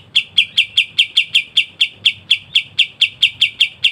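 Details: Kapas tembak, a masteran bird for songbird training, singing gacor ngebren rapat: an even series of sharp, chipping notes repeated about four times a second, steady and unbroken, with quiet low hum beneath.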